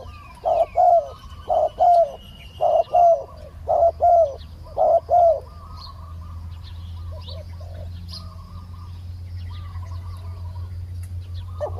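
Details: A decoy spotted dove coos in a steady series of paired hollow notes, about eight in the first six seconds. Afterwards, softer distant coos answer over a low steady hum and scattered chirps.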